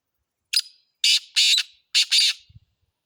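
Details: Black francolin, known locally as kala teetar: a loud, harsh, grating call in several broad rasping bursts, two short then doubled longer ones, over about two seconds in an otherwise quiet setting.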